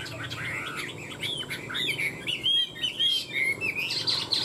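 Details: One of two caged Chinese hwamei, tamed for three years, singing in a song contest: a rich, varied run of loud whistled and slurred phrases rising and falling quickly, with a faint background hum.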